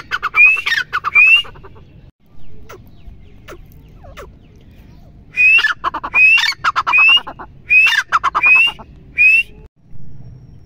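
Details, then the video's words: A female partridge (madi teetar) gives loud, harsh calls with a squeaky rising whistle, two at first, then a quick run of six after a pause. "Madi Teetar | Mada Teetar | titer Voice | Teetar bird sound | teetar Ki Awaaz"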